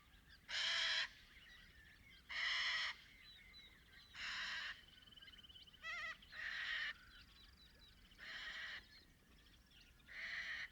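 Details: Little Corellas calling in the outback of Paroo-Darling National Park, Australia: a steady series of harsh screeches roughly every two seconds over a background of distant flock chatter and a thin whistled note.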